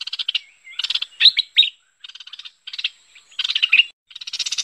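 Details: Bulbul, locally called merbah lekir, in a recording used to lure birds: bursts of buzzy, rattling chatter alternating with short whistled slurs, in about eight separate bursts, with a faint steady high tone throughout.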